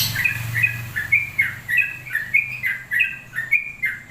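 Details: Long-plumed bulbul song of bright two-pitched whistled notes, each slurring slightly downward, given in quick uneven succession over a faint low background hum.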